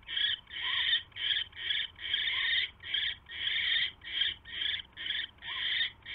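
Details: Owl at the nest during a mouse delivery, evening of January 29, 2016; steady sequence of coarse hissing bursts, short and longer ones alternating, about two per second, faint hum behind.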